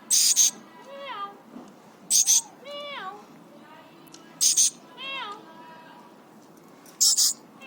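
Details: Three-year-old Alexandrine parakeet, happy and excited, repeats a cycle of rasping double screeches followed by sliding, falling whine-like imitations, four times over about eight seconds.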